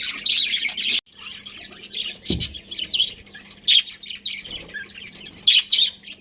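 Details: Colony of budgies chirping in scattered bursts of high twittering and short squawks, with a brief gap near the start and a low thump in the middle, steady faint hum underneath.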